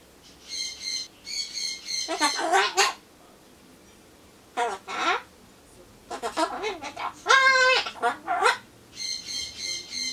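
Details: Caged-pet Ducorps's cockatoo chattering alone while awaiting pumpkin, repeating phrases like 'cute' and 'hi'; buzzy high squawks alternate with wavering spoken-sounding syllables and a rising, crowing phrase near the end.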